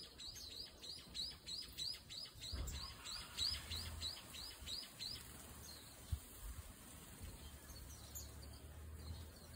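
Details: Brown-eared Bulbul of the Ishigaki race, bathing: a rapid series of short, sharp, rising chirps, about three each second and fairly uneven in spacing, with a low rumble of background noise.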